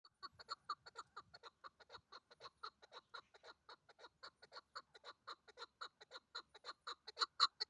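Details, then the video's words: A chukar partridge gives a long run of short, clucking chuk notes, about three per second, steady then growing louder at the end; the video is tagged female and concerns hunting use. "chakor bird ki awaz"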